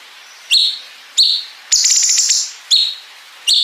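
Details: Cungkok bulbul song with 'bren' fill, used to train competition songbirds: high piercing chirps, slurring down, repeated about every second around a half-second buzzy rattling trill.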